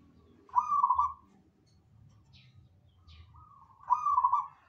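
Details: ['Zebra dove, called perkutut, singing briskly: two fast bubbling trilled coo phrases about three seconds apart, with a couple of faint high chirps from other birds in the gap.']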